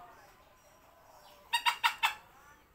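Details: Silver Sebright bantam chicken laying an egg: after a quiet stretch, four quick harsh clucks in about half a second, each sharp at the start and fading fast.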